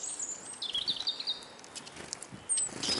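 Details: Eurasian siskin (Carduelis spinus) among a hungry group at a feeding table in Kolmården, Sweden, camera resting on the ground. A short, high, slightly buzzy twittered phrase sounds, followed by clicks and a thin squeak.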